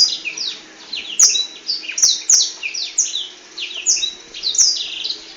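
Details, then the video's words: Black-throated canary in full, lively song with wings spread, pouring out a long unbroken stream of bright high twitters, quick downslurred whistles and short buzzy trills in rapid succession. "Burung blackthroat gacor buka sayap"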